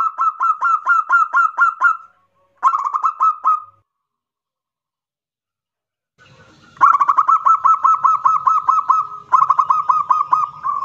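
Zebra dove giving loud, rapid runs of rolling coos in bursts of about two seconds, separated by short pauses; faint low rumble beneath the later bursts.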